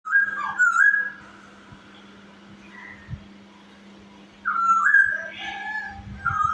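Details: Chinese hwamei song used as a lure to stir other birds to sing: two bursts of loud, clear, slurred whistles, wavering and dropping, separated by a quiet gap, over a steady low electrical hum.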